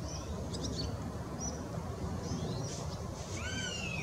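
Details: A juvenile Northern Goshawk, delighted as food arrives, on 20 June 2016, gives thin, high whining calls, a few short squeals and then a burst of rising-and-falling wails, over a steady low rumbling noise.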